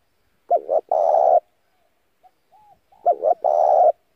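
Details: Spotted dove giving a lure call to draw in other doves, also used for daily song practice: two quick hooting notes then a long rough coo, heard twice with soft coos between.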